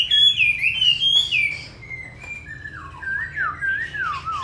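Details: A pure-bred Chinese hwamei with a wild-type voice, described as a very good singer, sings loud, clear whistles that slide up and down, then shifts to lower, looping warbled phrases over a faint steady hum.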